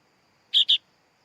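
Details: One quick, harsh double chirp from a sooty-headed bulbul chick, two buzzy notes in rapid succession, then quiet.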